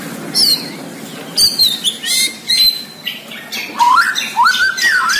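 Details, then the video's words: Bornean white-rumped shama (murai batu) in full 'gacor' singing: a rapid, varied medley of sharp high whistles, harsh buzzy rattling bursts and clear rising whistled slurs, with short pauses between phrases and no other sounds prominent. "MURAI BORNEO GACOR DARRR DERRR DOORRR"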